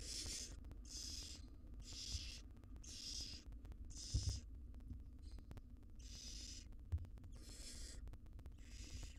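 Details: Mother barn owl feeding her nestlings in a wild nest box: a steady series of harsh, snoring hisses roughly every second, with a few soft thumps, over continuous low hum.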